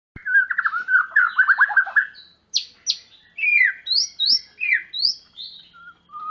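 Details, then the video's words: White-rumped shama song used to provoke silent or young birds into singing: a fast run of rattling notes, then clear, separate, upward-sweeping whistles and slurred phrases with short gaps. "Muarai batu gacor_cocok buat gesek burung yng bisu .."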